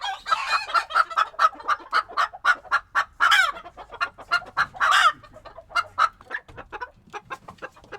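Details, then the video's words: Flock of chickens in their coop in Tokyo, recorded in February 2022, keeping up lively chatter: steady, evenly spaced short clucks about four per second, broken by two harsher drawn-out squawks. "The sound of a chicken coop"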